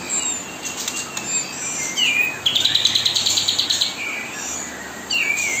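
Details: Kapas tembak singing nonstop as a mastering song beside fledglings being hand-fed: scattered falling whistles, then a fast ringing trill of about fifteen high pulses, followed by more downslurred notes over hiss.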